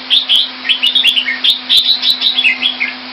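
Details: Red-whiskered bulbul, a caged bird kept Thai style in Singapore in February 2018, delivering a dense, fast string of clear slurred whistles and chirps with faint clicks and a low steady hum behind.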